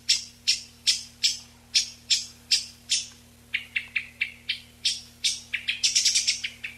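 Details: Eyebrowed thrush, noise-reduced recording meant for calling in flocks, giving thin, high, sharp call notes, about two to three per second, quickening into a denser burst near the end; a faint steady hum underneath.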